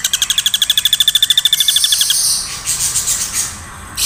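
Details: Woodpecker calls, used without pause as a master sound for tutoring songbirds: a quick run of high, sharp repeated notes that speeds and fades after two seconds, followed by softer rustling bursts.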